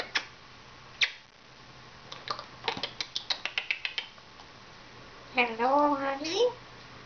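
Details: Pet African grey parrot, a female about 14 years old, indoors in 2011: a series of sharp clicks and squeaks, then a wavering, harmonic, speech-like vocal phrase.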